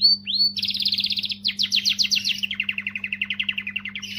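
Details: Canary singing to motivate females: a short whistle, then fast rolling trills changing tour every second or so, rapid even notes stepping lower in pitch, over a constant low hum.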